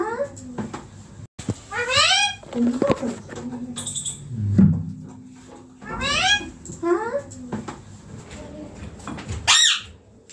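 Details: Pet green ringneck parrot sitting on a neem tree gives several short, rising, harmonic calls spaced a few seconds apart, mixed with low rumbling noise and thumps.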